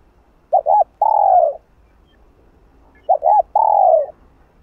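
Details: Spotted dove calling to urge another dove on, in a continuous hap boi sequence: two identical phrases about two and a half seconds apart, each a doubled short coo and then a long drawn, slightly falling coo.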